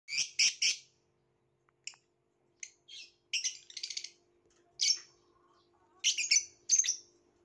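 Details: Violet lovebird giving sharp, harsh chirps in quick clusters, some bursts doubled or tripled, separated by short silent gaps, with a faint steady low hum underneath.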